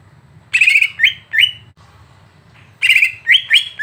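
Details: Tutor song of a greater green leafbird meant to provoke another bird: buzzy chattering note then two upslurred whistles, repeated after a one-second gap, with faint low background hum.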